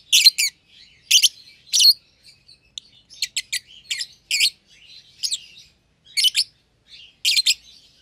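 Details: Caged lovebird pair, one euwing green opaline and one albino with red eyes, not yet bred: loud piercing double chirps repeated roughly every second, with quiet chatter in the gaps.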